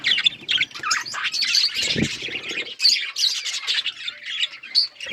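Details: Budgies chirping and enjoying themselves: a busy mix of scratchy squawks and high chirps from several birds, with a short low thump midway.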